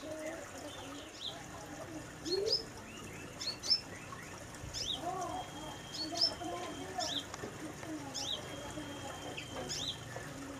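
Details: A sunbird in a mini aviary cage gives thin, sharp high chirps and brief twittering notes in irregular bursts, with softer warbling and murmuring sounds lower in the background.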